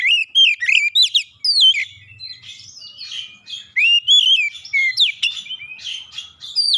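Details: Agitated oriental magpie-robin answering a lure with an aggressive challenge and full repertoire: a long run of loud, varied whistles, sharp downslurs and rising slides, coming in rapid irregular bursts.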